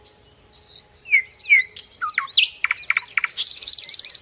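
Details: Sikatan londo, the common nightingale, in training song for other birds: a thin whistle, two descending slurred notes, a tumbling jumble of varied chirps, then a rapid, even, buzzy rattle of repeated pulses.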